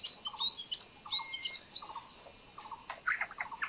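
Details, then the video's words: White-rumped shama song used for bird trapping: crisp, high, upslurred whistles repeated about three times a second, each paired with a lower stuttered note, ending in a few richer mixed phrases. "สียงนกกางเขนดง(บินหลาดง)เสียงต่อ คม ชัด"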